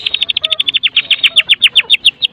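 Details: Medan white-rumped shama singing energetically, a lure recording to set other shamas singing: a fast run of sharp downslurred notes that slow and spread out across two seconds, with faint whistles beneath.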